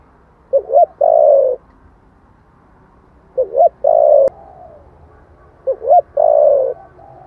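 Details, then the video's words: Spotted dove cooing in the 'thổ' style to provoke wild doves. Three phrases are spaced roughly two and a half seconds apart, each a stuttered double note leading into a long, low, sliding coo. "tiếng chim cu gáy giọng thổ chuẩn kích bổi nhanh nổi"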